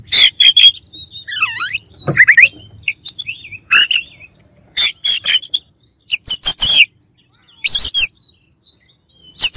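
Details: Challenging song of an Oriental magpie-robin played to rile other birds, with rapid scratchy bursts, a wavering descending whistle, and repeated loud harsh notes spaced irregularly among thin high whistles.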